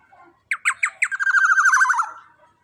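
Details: Young, big, loud black-naped oriole recorded as a training master for other birds: harsh nasal downslurred notes repeated three times, then a rapid grating chatter lasting about a second, with faint background noise.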